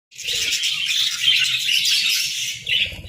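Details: Several budgerigars chirping together in the morning: a dense, steady flock chatter of high, scratchy twitters and warbles, running without pause after a brief silent start, with soft low rustling underneath.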